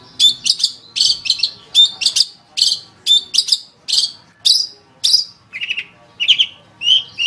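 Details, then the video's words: Long-tailed shrike singing vigorously on a tutor recording for caged birds: a steady run of short harsh notes, each opening with a clear whistled tone, repeated about twice a second, ending in thinner twittering phrases. "Suara Burung Cendet | Gacor"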